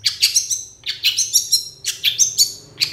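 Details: Long-tailed shrike giving a full training song of imitated notes: clusters of high, sharp twittering phrases repeated in short groups.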